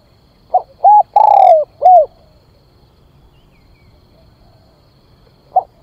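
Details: Spotted dove calling to lure birds in. One cooing phrase of a short note, a rounded coo, a long rough descending coo and a final coo. A quiet pause follows before a short note starts the next phrase.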